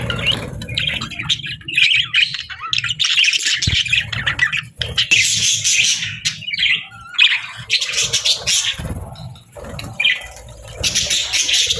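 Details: Budgerigars chirping at feeding time: dense, overlapping high chirps and scratchy chatter from several birds, with bursts of louder squawks and a few brief quiet gaps, plus soft low thumps underneath.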